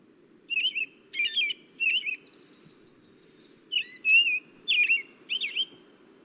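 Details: American robin (Turdus migratorius) song: slow, steady clear whistled notes rising and falling with short pauses, over a low hum; a song often taken as the beginning of spring.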